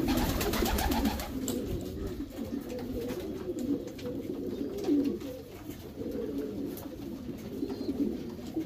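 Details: Low, throaty cooing from domestic Racing Homer pigeons in a breeding loft, rising and dipping in overlapping phrases, with bursts of clattering and rustling early on.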